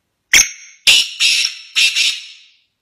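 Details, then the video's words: A black francolin (kala teetar) calls: one short clipped note, then three loud rasping notes in quick succession over about two seconds, a harsh grating phrase. "kala teetar ke funn calling"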